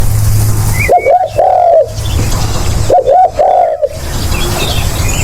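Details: Spotted dove call played as a hunting lure: two short hooked coos followed by a longer drawn-out falling coo, given twice, low and mellow, with a steady low hum and faint chirps of small birds behind.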